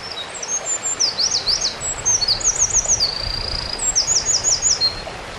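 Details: Eurasian wren on the Kogesawa forest road, Ura-Takao, delivering a loud high song of quick piercing notes, rattling zigzag trills and a flat sustained trill, then a closing burst of rapid chirps, with soft ambient noise beneath.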